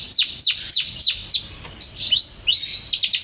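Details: Champion canary repeats five loud, steeply falling whistled notes about every quarter second, then rising slurred whistles and a short quick trill at the close.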